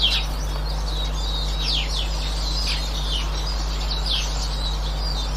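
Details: Eurasian siskin recorded on 18 March 2024, giving thin, high twittering notes and quick descending slurred calls over a steady low hum.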